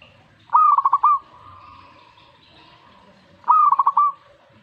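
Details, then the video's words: Two quick, bubbling coo phrases from a zebra dove reacting to a master recording, three seconds apart, each ending on a drawn-out note, with a faint held tone between. "Langsung reaksi buat masteran perkutut"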